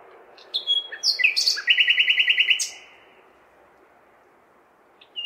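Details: Common nightingale singing in a big city on a May night: short whistles, then a rapid rattling trill of even repeated notes lasting about a second, followed by quiet with low urban hum and a faint final note.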